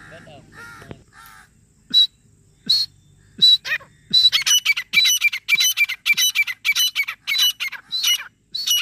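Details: Female grey francolin (desi teetar) calling non-stop in jungle, recorded for hunting use: a few sharp, spaced notes, then a loud, harsh, ringing series of repeated notes, roughly three per second, building in intensity; faint rustling at the start.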